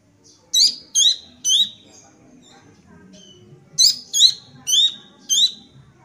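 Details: Young Sunda bush warbler calling busily: a burst of three loud hooked chirps, a quiet pause, then four more evenly spaced chirps, each sharp and high with a slight downward tail.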